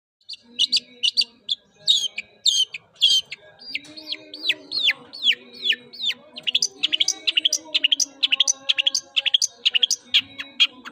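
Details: White-rumped shama song: fast series of loud, sharp, downslurred whistled notes, varied and then quickening into rapid repeated chips, with a faint low hum and soft background twittering.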